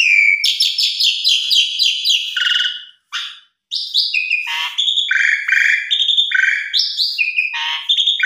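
An Asian pied starling sings a loud, fast jumble of bright whistles, harsh chatters and buzzy notes, broken by one brief pause.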